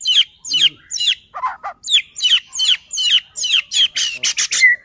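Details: White-rumped shama song used as a lure to provoke other shamas into singing: a rapid series of sharp, downward-sweeping whistled notes repeated about twice a second, with a few lower rolling phrases and a final drawn-out whistle.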